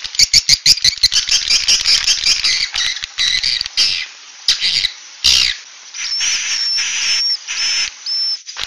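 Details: Swiftlets giving 'suara inap' calls: quick high chirps and squeaks in a crowded chatter, then thinner, whistled twitters with brief gaps between them.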